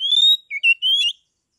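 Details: Oriental magpie-robin, a caged bird from Kebumen in Central Java, giving loud 'ngeplong' song to stir rival magpie-robins into singing and fighting; long, pure, slightly rising whistles in three phrases, the middle one lower and short.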